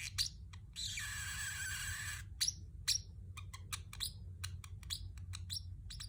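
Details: Chirping from a pet Pacific parrotlet: a long harsh buzzing squawk, then scattered crisp chirps with sharp downward slurs, over a low steady hum.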